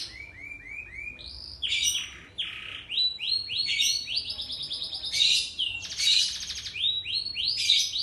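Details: Lively canary song for training young canaries: arched whistled notes in quick series, then harsh broad buzzy bursts and rapid trills. The phrases shift every second or so.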